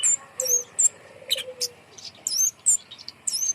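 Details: A kemade bird hung high as a lure for birds reluctant to sing. It makes looping, high, whistled chirps repeated several times, plus a short, low, buzzy trill.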